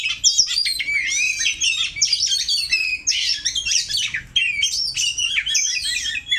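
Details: Oriental magpie-robin singing while practising against a rival bird to strengthen its song: a rapid, unbroken stream of high, varied whistles, slurred rising and falling notes and sharp chirps, packed densely with barely any pauses.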